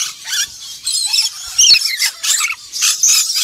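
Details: Harsh, grating squeals from a black-winged lory, delivered in choppy bursts roughly every half second.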